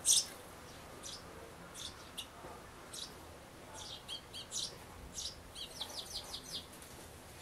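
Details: Sparrow adults visiting a nest box on 11 May 2012 while a grown youngster pokes its head out, a day before fledging; scattered high chirps turning into a rapid twittering run near the end.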